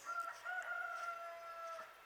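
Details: Rooster crowing from inside a building, one of several kept roosters that crow as early as four in the morning; a single drawn-out, fairly steady crow lasting nearly two seconds, faint and somewhat distant.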